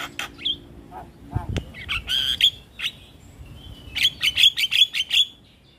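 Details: Javan myna; song; prompting other mynas to respond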